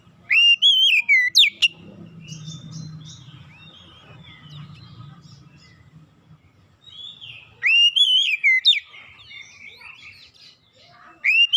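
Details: Lure song of an Oriental magpie-robin meant to coax hesitant birds into singing: bright whistled phrases with sliding notes and quick chips at start and end, a long quiet stretch between with soft low hum and faint distant chirps.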